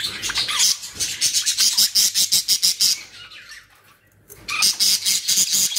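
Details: Budgerigars in a Pakistani aviary collection call in fast, evenly pulsed high chirps, roughly three per second, then a short lull before the chattering resumes.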